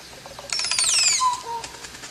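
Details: Crested oropendola giving a loud call: a bright burst of notes that sweeps steeply downward from very high pitch, followed by a short, clear, lower whistled tone and a fainter low note.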